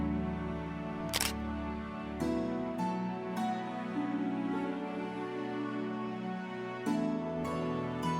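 Soft instrumental music plays throughout, with sharp camera-shutter clicks and no animal voice.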